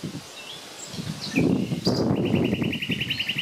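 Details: A Common nightingale, one of three singing there on 30 April 2020, sings a few thin whistles, then a fast run of about a dozen identical high notes, over low rustling and background rumble.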